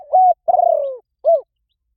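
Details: Spotted dove cooing in the 'gáy gọi rút bổi' way to draw out wild doves. Part of one phrase is heard: a held level coo, then a longer, rapidly throbbing coo sliding downward, and a short arched closing note.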